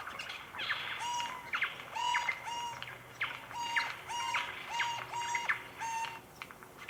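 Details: Eurasian Jay alarm, given when a predator or person is spotted to warn other forest dwellers: loud, sharp, nasal calls repeated roughly twice a second, each with a falling tail, with faint forest birds behind.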